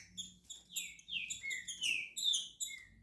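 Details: Green-winged saltator emerging from moult, singing softer sliding whistles, with some notes gliding down and others held level, in a quick, uneven sequence above a faint low background hum.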